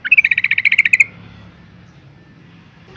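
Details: Breeding female Yellow-vented Bulbul calling males, giving one quick, rattling series of about a dozen sharp chirps lasting a second, followed by quiet and the start of another note.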